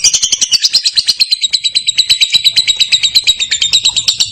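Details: Lovebird ngekek, a long clear trill that sets off other lovebirds: a loud, evenly paced series of sharp high-pitched chirps, about three each second, continuing strongly through the whole four seconds.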